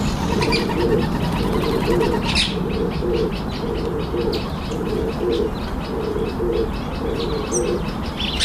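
Red-eyed dove giving low, hoarse coos in short repeated phrases, about one per second, over a steady low rumble and faint higher chirps.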